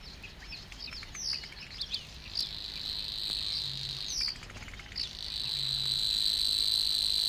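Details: Savi's warbler in the reed beds of Matsalu, Estonia (1979 field recording), reels in a fast, even, insect-like buzz lasting several seconds and growing louder, while another bird gives short, sharp descending chirps.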